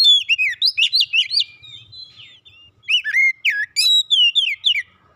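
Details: Oriental magpie-robin kept at home singing fast, rich whistled phrases, swooping notes and rapid chirps in two dense bursts with a brief quieter gap, clear against a quiet background.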